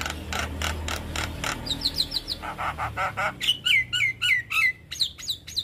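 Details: Javan myna master song for young birds: a string of dry rasping clicks, then clear down-slurred whistles repeated about three per second, with high thin notes to finish.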